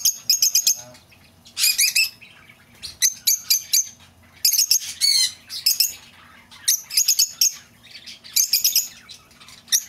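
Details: Lovebird calls to draw an escaped bird back: clusters of quick, high-pitched squeaky chirps repeating in bursts every second or so.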